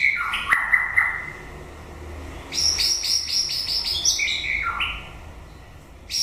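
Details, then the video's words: White-rumped shama in song toward the end of its breeding season, opening with sharp whistled notes and a downward slur, then a rapid run of high chattering notes before a lower descending whistle. "Chòe lửa bông hót cuối mùa sinh sản"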